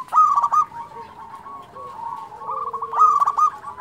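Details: Prolific local zebra dove song: a loud clipped burst of rapid coos, a stretch of softer continuous trilling with a low drawn-out coo, then another loud burst.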